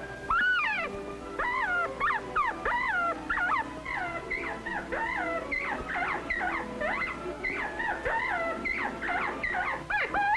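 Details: Northern Bobwhite cocks in spring, rivalry for mates now mostly talk while the hen seems unaware; continuous chatter of short whistled notes, sharply rising and falling slurs repeated many times, over steady hiss of an archival recording.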